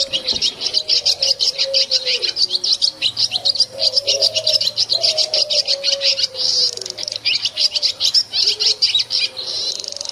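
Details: Continuous twittering of swiftlets in a village setting, a rapid, crowded series of high, scratchy chirps over ten seconds, with a wavering low droning tone running underneath throughout.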